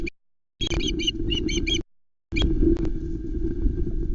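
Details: At the Loch Arkaig osprey nest on 19 July 2020, with three chicks present as an adult male brings a whole trout that the chicks fight over, an osprey gives a quick run of five or six sharp, high, whistled chirps, then single chirps, over heavy wind rumble.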